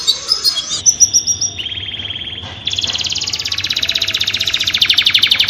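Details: Mating canary for breeding birds: sustained steady whistled tones shift between pitches, then give way to a fast, even rolling trill of rapid repeated notes that grows louder toward the end.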